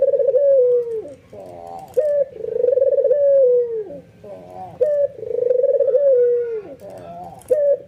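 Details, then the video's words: Albino white ringneck dove cooing excitedly, provoking other doves to join in; low, drawn-out coos near the bottom of the range, each sliding downward, with a rolling trilled phrase between them, repeated about every two to three seconds. "SUARA BURUNG PUTER PUTIH ALBINO FULL NGANGGUK EMOSI BIKIN PUTER LAIN TERPANCING IKUTAN GACOR"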